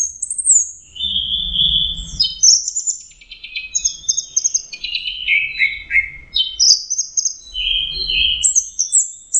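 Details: Sweet, varied song of an orange-headed thrush, mixing clear high whistles, buzzy trills and descending slurred notes in quick succession, with a light low background rumble.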